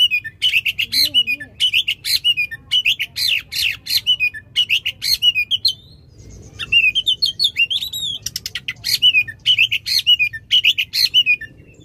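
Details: Sustained, loud oriental magpie-robin song with long delivery, intended to stimulate a stalled magpie-robin: nearly continuous rhythmic bursts of sharp chirps and warbled whistles, with a brief pause near the middle before the rapid phrases resume.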